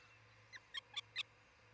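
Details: Nest camera in Charlo, Montana, 1 July 2018, at the nest of a breeding osprey pair. Four short, bright chirps sound about a fifth of a second apart, each with a ringing overtone, against a quiet electrical hum.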